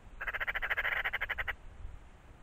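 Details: Eurasian magpie giving a loud, rasping rattle of roughly twelve quick pulses in just over a second, then falling silent against faint low background noise.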